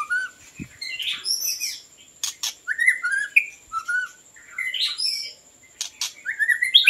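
White-rumped shama singing rich, varied whistled phrases that jump between low fluty notes and higher trills, broken by a few sharp clicks over a faint steady high tone.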